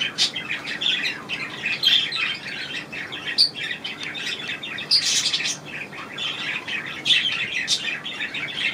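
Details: Indoor budgie room, 25 May 2018: budgerigars chirp and warble rapidly during a bath, with repeated sharp high notes over constant chatter.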